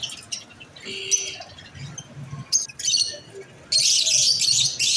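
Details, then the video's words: Sparse high chirps and a few short squeaky notes from masked lovebirds give way to a loud, sustained burst of shrill chatter in the final second. "Lovebirds chirping sound | | Beautiful | | Masked Lovebirds"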